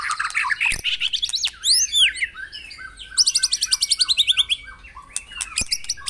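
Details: White-rumped shama singing for encouraging caged birds to sing: mixed whistles and arching slurs, then a fast rattling trill of about fifteen evenly spaced notes, ending in scattered high chips.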